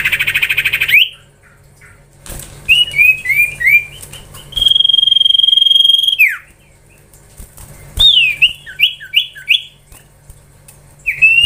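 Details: Common iora whistled song variation: a harsh burst, a descending run of short whistles, a long steady level whistle that drops at the end, then a rapid series of downslurred notes.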